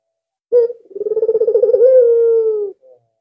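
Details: Albino Barbary dove, very vocal and used as a decoy to draw other doves. A brief sharp note, then a bubbling rolling trill leading into one long, steady, gently descending coo.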